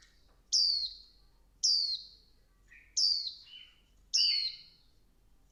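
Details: Swinhoe's white-eye female calling to excite the male: four bright, high downslurred chirps about a second apart, some followed by short buzzy lower notes, with quiet background.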